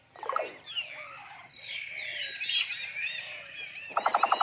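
A common hill myna gives squeaky, wavering, speech-like phrases, ending in a quick burst of about six harsh repeated notes.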